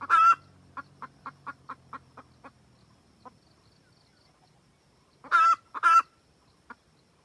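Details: Red junglefowl hen calling the rooster, a recording used as a trapping lure: one loud harsh squawk, then about nine short clucks that fade out, later two more loud squawks close together and a last soft cluck.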